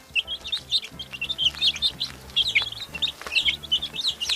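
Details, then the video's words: A group of chicks chirps continuously, with short high peeps, some rising and some falling, that overlap irregularly above a faint low humming tone. "Som de PINTINHO PIANDO 🐤 Canto de Pintinhos | Barulho de Pintinho | Pintinho Piu"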